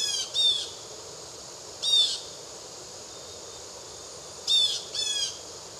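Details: Blue jay in the Triad area of North Carolina giving harsh, screechy calls: four raspy bursts, two close together at the start, one near two seconds and a double burst near the end, over quiet background.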